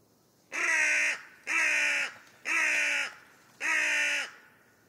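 A carrion crow gives four harsh, hoarse caws, each about half a second long, spaced roughly a second apart, against a quiet background.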